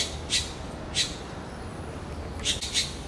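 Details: A red-billed blue magpie calls repeatedly on seeing a big turtle, giving four short, harsh, rasping notes, two close together near the end, over a low steady background rumble.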